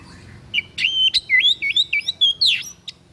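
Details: White-breasted bird giving an unusual song used as a tutor recording for training cage birds: rapid run of sharp, rising and falling whistled chirps, about three per second, over low background hum.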